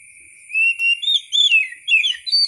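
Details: White-rumped shama singing in natural-sounding wild style, used for tutoring other songbirds: clear whistled notes sliding up and down, rich varied phrases with short pauses, set against a constant high electronic hum.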